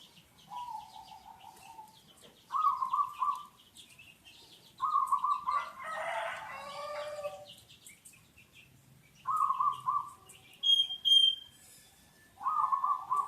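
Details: Local zebra dove at Cilamaya, used for luring birds: mid-pitched, rapidly pulsed cooing phrases about a second long, repeated every two to three seconds, with faint higher chirps of other birds between them.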